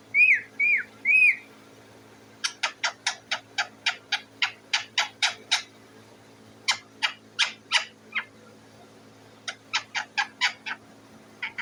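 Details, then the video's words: Parrot sitting on its cage, noisy for food: three short rising-falling whistles open, then long runs of rapid, evenly spaced harsh chattering notes in several bursts, indoors. "The parrot is sitting on the cage and making a noise"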